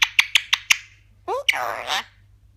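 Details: A pet Eclectus parrot talking indoors gives five quick, bright clicking notes, then a short rising squeak and a harsh, speech-like raspy phrase.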